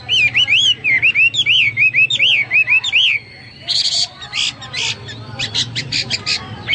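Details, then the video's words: Hwamei singing vigorously ('gacor'), a series of loud looping whistles repeated about every half second, then harsh scratchy bursts and short clipped notes. "Burung Hoa Mi gacor"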